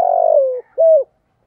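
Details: Decoy spotted dove cooing in thổ voice: the tail of a long, buzzy coo sliding downward, followed by a single mellow rounded coo, then silence.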